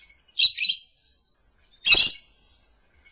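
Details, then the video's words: Morning lovebird song, used as a lure and master song: two short, shrill, squeaky chirp bursts about one and a half seconds apart in quiet surroundings. "Terapi suara Masteran Love Bird Di pagi Hari"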